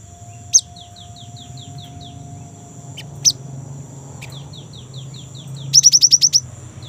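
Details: A young Great tit gives rapid runs of thin, high, down-slurred notes, seven or eight per burst, with loud sharp chips between runs; a steady high whine underlies everything.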